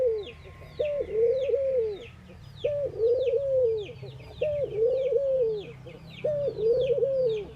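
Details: Four even coos from a ring-necked dove during morning activity in India, repeated about every 1.8 seconds: a brief raised note, then a long, softly arching low tone. Busy high chirps of small birds accompany.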